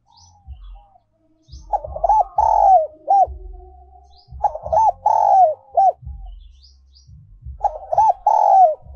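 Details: Spotted dove decoy song, 'giọng còi' style, also known as 'giọng kim', 2022: three coo phrases about three seconds apart, each of quick hooked notes and a drawn-out croon, with low muffled thumps beneath.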